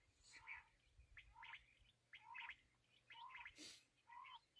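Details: Black francolin, known locally as kala teetar, calling in a recording tied to quail hunting: harsh, chirping phrases repeated about once a second. Each phrase holds a lower rising note under higher scratchy notes, with one sharp click.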